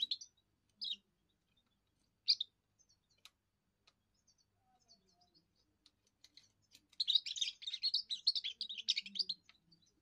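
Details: A young European goldfinch's first song: a few scattered high chirps, then a rapid, twittering burst of tinkling notes near the end.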